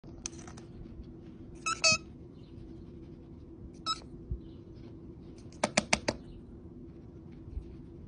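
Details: A pet cockatiel, angry that his perch spot has been taken, gives short, harsh, scratchy chirps in scattered bursts over a steady indoor hum.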